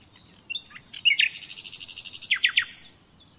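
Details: Common nightingale song recorded for training captive birds: a varied phrase of whistled notes, then a fast run of repeated chirping notes and sharp descending notes, closing with a high whistle.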